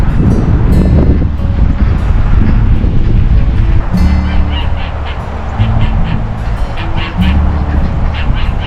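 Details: A male duck on a farm, recorded 14 November 2024, calls loudly in repeated two-beat honking quacks, like a name yelled over and over, letting everyone know he is there, amid heavy low rumbling background noise.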